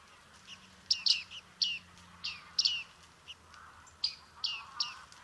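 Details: Bearded reedling (bearded tit) at Liepāja, Latvia, July 2023: a series of sharp, high, metallic 'ping' notes, some doubled, several per second in loose bursts over a soft low hum.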